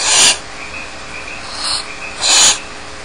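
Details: Barn owl chicks alone in the nest at Starr Ranch, begging with two harsh, breathy hissing bursts about two seconds apart, each roughly a third of a second long, over a faint steady background hum.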